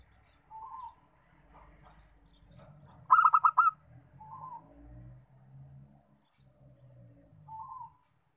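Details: Local zebra dove, recorded as a singing prompt, delivers one loud phrase of four or five rapid rolling coos midway. Softer short notes come before and after, with low murmuring background noise.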